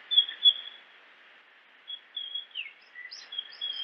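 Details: A Japanese grosbeak's song comes in short whistled phrases: two loud opening notes, a pause, then a run of clear high whistles, slurred notes and small chips, with soft hiss behind.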